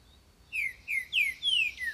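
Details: Green-winged saltator singing to attract mates and defend territory: after a quiet half second, five clear whistled notes, each sliding downward, come at even intervals against a faint background.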